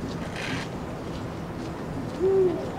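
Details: Eurasian eagle-owl recorded on 16 February 2023, giving a single deep, slightly arched hoot near the end of a quiet stretch, with soft background hiss and a faint higher rustle early on.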